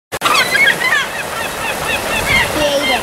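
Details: A flock of herring gulls calls over one another in a dense chorus of harsh, nasal mews and yelps over steady rushing water or wind, at Brewster Herring Run in May 2012, waiting to gorge on herring swimming upstream to spawn; a child's voice comments.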